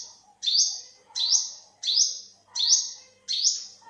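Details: Olive-backed sunbird in 2021 giving five strong, rising, sibilant calls in about four seconds. Each note is sharply attacked and then fades, with regular spacing and faint lower background chirps.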